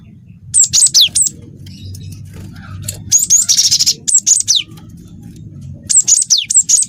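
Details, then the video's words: Canary-filled song from a cinereous tit: repeated groups of high slurred whistles dropping in pitch, a buzzy rolling trill near the middle, and a closing run of quick notes, with a low murmur underneath. "Burung gLatek watu full isian kenari"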